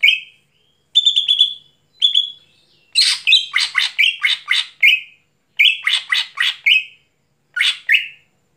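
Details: Lively night song from a greater green leafbird: opening short whistled trills, then fast runs of scratchy, buzzy notes broken by flat whistles, in several phrases over eight seconds.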